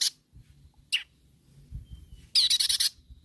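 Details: Long-tailed shrike challenging rivals with harsh, grating rasps: a short scratchy note, a long pause, then a loud stuttering burst of rough, noisy chatter lasting about half a second.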